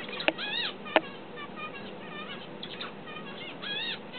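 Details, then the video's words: A tame pet finch learning to sing gives soft, halting warbles of arched, slurred notes in a few short bursts, broken by two sharp clicks like wingbeats. "finch learns to sing"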